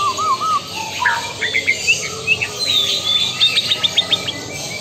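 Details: Lampung Super white-rumped shama: opens with a low wavering warble, then climbs into bright whistles and a fast series of sharp, evenly repeated chirps, over faint background hiss.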